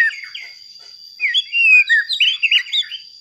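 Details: Rich warbling song of a white-rumped shama meant to provoke rival shamas: after a short opening note, a run of loud slurred whistles and twisting phrases, with a steady high hum behind.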